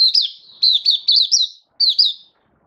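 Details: Caged oriental white-eye in full song, giving quick bursts of high, thin twittering whistles, notes wavering up and down in short clustered phrases, a brief pause, then two more bright chirps; no other sounds.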